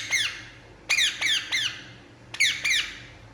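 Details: Indian ringneck parakeet at rest calling indoors: an opening squawk, then a trio of rapid descending harsh notes, a pause, and a final pair, all sharp and strongly harmonic over a faint hum.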